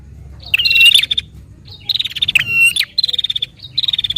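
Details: Prinia in lively fighting-style song, used to stir a captive prinia into singing: high, buzzy bursts of rapidly repeated clipped notes, several short series, ending in quick even trains of ticking pulses with brief pauses between them.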